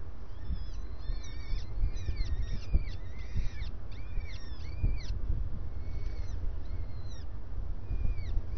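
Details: At breakfast, a starling gives a busy burst of arched and downslurred whistles that thins to a few drawn-out whistles toward the end, over a low steady rumble and a few soft knocks.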